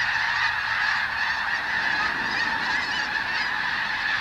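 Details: A feeding flock of several thousand snow geese on newly sprouted wheat, Skagit Delta, Washington State, hazed with crackers. A thick, continuous chorus of high yelping honks, many voices blended together.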